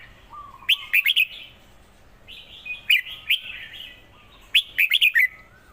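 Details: Red-whiskered bulbul song: short bursts of bright, liquid whistled notes in quick clusters, each phrase about half a second long, repeated three times over a low background hum.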